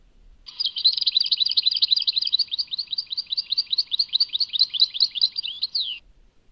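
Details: Sustained European goldfinch song from Tadmait: over five seconds of continuous rapid tinkling and twittering notes at an even, high pitch, ending in a falling slur. No background noise.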